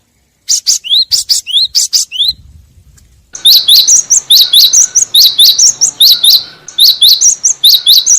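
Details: Great tit calls from a recording used to lure birds for catching: a group of high, descending chirps, a short gap, then a long, rapid, steady series of bright repeated chirps.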